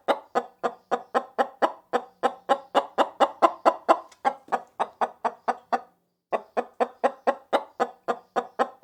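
A chicken clucks in a fast, steady run of short, throaty notes, about three each second, with one brief pause midway.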